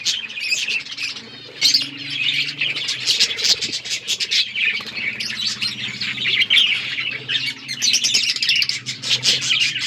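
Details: Budgies playing with each other, many birds chirping and warbling together in a lively, unbroken high chatter, over a low steady hum.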